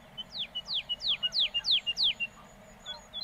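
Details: Woodlark (Lullula arborea) singing in Castricum, the Netherlands: a rapid run of six liquid, downward-slurred whistles, about three per second, trailing into a few soft notes over a faint low hum.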